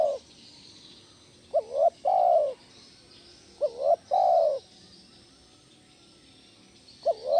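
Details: Loud 'kuk 1' style spotted dove lure call for training other doves: two full low phrases of a double-humped note and a longer falling coo, about two seconds apart, with a third phrase starting at the end.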